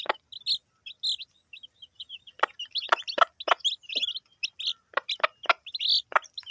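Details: Village hen with her chicks while they eat: many short high chirps in quick bursts, with sharp clicking pecks scattered through.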